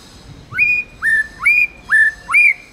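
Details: Tame white-rumped shama in "forest voice" song: five loud, pure whistles, each swooping up sharply and then holding level, repeated roughly every half second over a quiet background.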